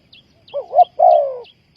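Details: Dove call used to lure wild doves for trapping: two short hooting notes followed by one longer, slowly falling coo, with faint high chirps from another bird repeating in the background.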